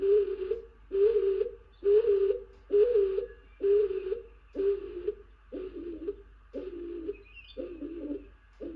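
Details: A stock dove, presumably a male, alights on a tawny owl nest box where a hen owl is incubating on 28 April 2023 and calls incessantly: about eleven deep, hollow coos, roughly one per second, the later ones rougher and more broken, sounding close and boxy.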